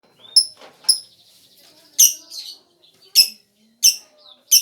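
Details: Lovebird lure song: short, shrill, high chirps in separate bursts roughly every second, with quiet gaps and faint thin notes between them.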